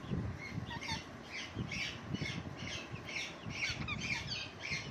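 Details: Parrot sitting on a lemon plant, producing a steady string of harsh, grating squawks about two per second, each short and rasping, with a few small whistled notes slipped in between.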